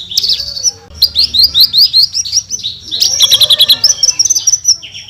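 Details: Branjangan, the Javan bush lark, in lively tembakan song: a run of fast, evenly spaced high chips about three per second, then a dense rattling trill and a level whistle at the end.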